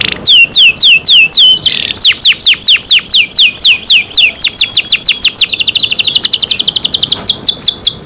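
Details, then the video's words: Kept canary singing loudly: a run of high downward-sweeping whistled notes, then faster repeated trills, notes coming about four per second and speeding into rapid rolling tours near the end. "canary Nice sound"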